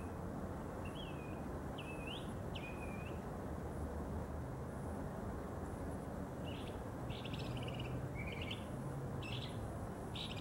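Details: Mockingbird singing early in the morning from a neighbour's tree about 50 yards away, filmed on a tripod-mounted camera: distant slurred, rising and falling whistled phrases, some repeated twice or more, over a steady low rumble of background noise.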